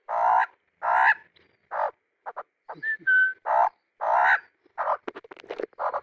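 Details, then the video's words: Pet male Australian magpie, 9 months old, singing while perched on a stump in a garden pond: a run of harsh, croaking bursts, roughly one every half second, broken by a couple of short clear whistles. "Singing, My Beautiful Baby 9 Month Old Australian Magpie"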